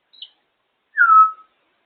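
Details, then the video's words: Female African grey parrot on top of her cage, happily making her noises: a faint high chirp, then a loud clear whistle sliding downward over about half a second. "African grey parrot on top of her cage loving making her noises"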